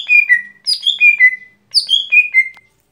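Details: Everyday song of a lesser green leafbird (gotri): two runs of loud clear whistles, each sliding downward in steps, delivered rapidly with a brief gap between runs, no other sounds.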